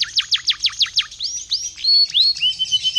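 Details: Canary song used to provoke other canaries to sing: six quick descending whistled notes in a row, then longer rising and level slurred phrases with a buzzy edge.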